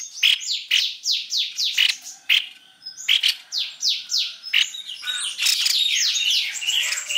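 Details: Lure recording of white-necked babbler: rapid runs of descending whistles mixed with abrupt clicks and chirps, ending in a denser, buzzier chorus of overlapping notes.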